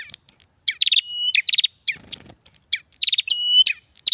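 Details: Lure sound of a prinia: clusters of quick, high chattering notes linked by a sustained thin whistle, with a brief low rustle midway and sharp single chips between the bursts.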